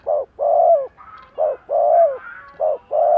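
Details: Decoy spotted dove cooing loudly and close: three couplets of a short coo and a longer, falling coo, with faint higher tones in the gaps.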